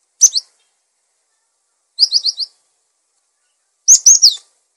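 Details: Cinereous tit singing to train other birds: three short phrases about two seconds apart, each of two to four quick, high, downslurred whistled notes.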